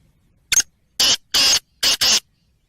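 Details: Rasping call of a Black francolin: a short introductory note followed by four loud, grating bursts, the last two nearly joined, in an otherwise quiet setting.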